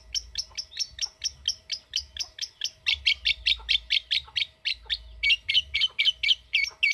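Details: Pet lovebird in a long ngekek trill answering a calling recording, a continuous run of harsh chattering pulses about four per second, growing louder and denser midway.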